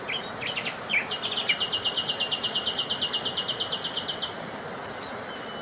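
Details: Sparrows taking their share of leftover breakfast food at a Marsa Alam hotel in Egypt; a fast, even run of high, sharp chirps, about four per second, over steady background noise.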